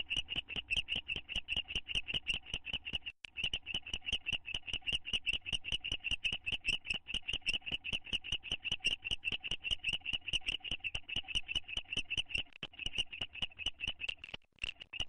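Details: A pair of owls bonding in a nest box on May 9, 2011: long, loud, continuous chittering of quick high clipped notes, with two brief pauses in the run.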